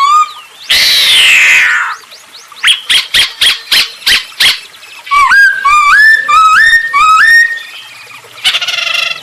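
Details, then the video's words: Masked laughingthrush used as a singing lure; a harsh rasping burst, then a series of sharp evenly spaced clicks, followed by a stepped run of rising whistles and a closing rough chatter. "Burung poksay hongkong gacor untuk pancingan"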